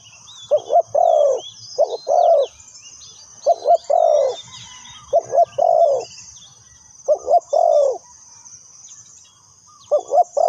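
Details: Lure spotted dove used by bird trappers, cooing steadily in repeated phrases of a quick doubled note and a longer mellow falling coo, about every two seconds, with busy high chirps of small birds and a faint low rumble.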